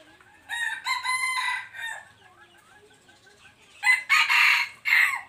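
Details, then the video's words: A loud, harsh crow from a wild red junglefowl aged three years, dated 26 January 2023, is heard twice: each crow has several strained syllables, the second starting near four seconds, with soft clucks and rustling in between. "qaib qus laus 3xyoos .ไก่ป่า100 3ปี"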